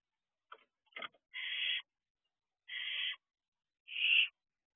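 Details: Barn owl owlets at night, 3:11 am, on the roof of their owl box, one joining its sibling: a few short clicks, then three harsh, hissing screeches about half a second each, spaced roughly a second apart.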